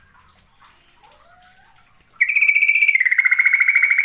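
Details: Yellow-vented bulbul of East Javan stock, a lure recording of lively full song with long rolling trills; after two quiet seconds, a loud, fast, bubbling trill starts high, then steps slightly lower and continues in even pulses.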